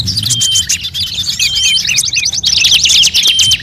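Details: Crowded bird chorus used to lure birds: overlapping fast chips and trills, about three to four notes a second, with sweeping whistles and a loud rattling series toward the close; soft low rumble underneath.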